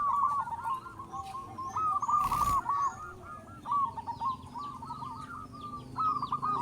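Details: Local Indonesian zebra dove, a big-voiced singer used as a lure for other zebra doves. Quieter chains of clipped coos on a steady pitch, with higher chirps from other birds, background hiss and a brief noise burst midway.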